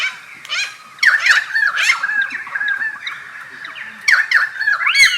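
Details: Pied currawong at Takarakka Bush Resort, Carnarvon Gorge, Queensland, Australia, on 21 July 2019 at 11:50, gives loud, ringing, gurgling calls with swooping rising and falling notes, in bursts about a second apart, then again after a pause.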